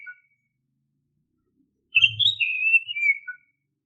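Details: Oriental magpie-robin whistled lure song, used to get untrained caged birds singing: a brief faint note, a long silence, then one flowing slurred whistle that wavers up and down, with soft low thuds at its start.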